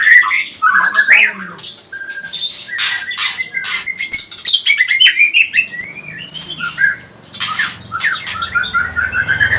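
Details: White-rumped shama, pastol type, singing as a lure to stir rival birds; varied phrases of whistled slurs, sharp clicks and harsh loud rasping bursts, pausing briefly before a busier stretch over a low hum.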